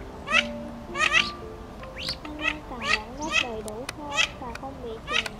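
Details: Mandarin ducks, male and female, giving flock-gathering calls used to lure migrating birds into night nets; loud clipped calls every half second or so over sustained gliding musical tones.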